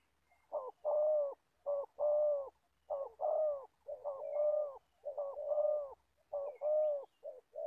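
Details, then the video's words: Caged older decoy spotted dove from Gia Lai, Vietnam, used to lure wild doves, cooing in a steady run of paired notes, a brief lead coo followed by a longer drawn-out one, several times in succession. "Bẩy cu gáy. Clip 65.. mồi già bắt bổi thổ tốt tiếng."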